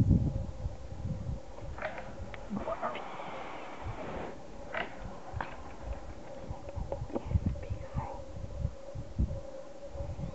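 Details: Sunbittern in an impressive aggressive posture at Hato Cedral ranch, Venezuela, in January 2012: a breathy, broad hiss lasting about one and a half seconds over low rumbling handling noise and a steady hum.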